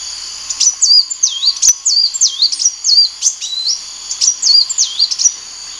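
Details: High, sweet sunbird song: strings of fast whistled notes that dip and climb again in repeated phrases, with short sharp chips between them and a faint constant hiss behind.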